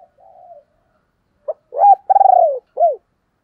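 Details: Decoy spotted dove cooing to draw in wild doves: a soft murmured note, then a short sharp coo, a long strong vibrating coo falling in pitch, and a final downslurred coo. Quiet background.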